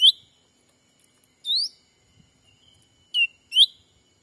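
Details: Black-capped bulbul lure call used by bird trappers in a Sumatran forest to draw in wild birds. Four loud, clear whistled notes, some rising sharply and some dropping, in pairs, with near silence between them.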